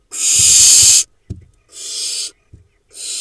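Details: Nestling barn owls in a nest box camera in the Hula Valley, Israel, in July; a loud breathy hiss-screech lasting a second, followed by two shorter hissing bursts with soft thumps between.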